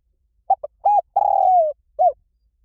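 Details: Spotted dove phrase in the 'liu tan' style for training a caged dove to answer: two quick coos, a bowed coo, a sustained trilled note sliding downward, then one gentle closing coo.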